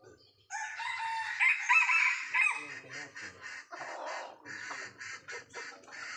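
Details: Sumatran red junglefowl heard during traditional luring of young wild birds. A full, hoarse crow lasts about two seconds, followed by a run of short clipped clucks repeated roughly every third of a second.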